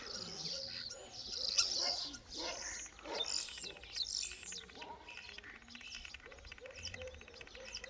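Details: Singing starlings in a Turkish village give a busy jumble of whistles, clicks and chatter, with dogs barking nearby and a person talking now and then.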